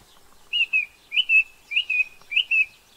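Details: Song thrush, introduced to New Zealand, repeating one clear two-part whistled phrase four times, roughly every six tenths of a second, over a quiet background.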